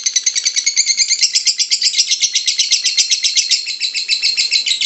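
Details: Lovebird ngekek song for luring other lovebirds to sing: a loud, continuous rattle of scratchy, high notes, about four per second, growing denser and broader midway.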